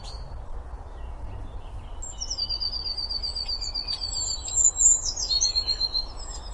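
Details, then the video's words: Eurasian blue tit singing outdoors: high thin whistled notes with a long level trill and a falling buzzy phrase, over steady low background noise. "Bird songs - Pretty melody of Blue tit."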